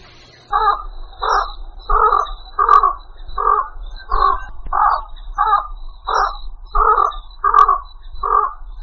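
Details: A Javan pond heron lure call from Indonesia, a steady series of harsh, raspy croaks repeated a little faster than once per second over a low background hum.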